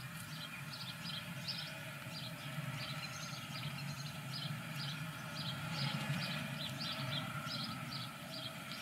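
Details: Morning feeding of the first newly hatched Eurasian blue tit chicks in a nest in Germany: thin, high begging calls in quick, uneven bursts, about three a second, over a steady low rumbling hum.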